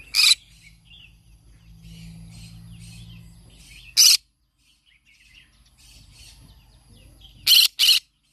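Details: Green-cheeked conure that sings each morning: three sharp, raspy screeches, one at the start, one midway and a doubled burst at the end, separated by faint twittering and a low background hum.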